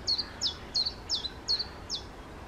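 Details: Common chiffchaff in the Czech Republic singing six high, sharp notes, each dropping in pitch, spaced evenly about a third of a second apart, over faint background hiss.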